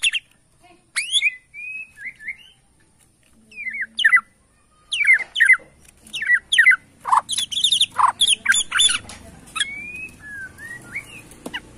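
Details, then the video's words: Bornean white-rumped shama singing competitively in bowing style: sharp upward whistles, short warbles and a loud burst of rapid chattering notes. "BIKIN EMOSI LAWAN || Gaya SUJUD murai batu BORNEO"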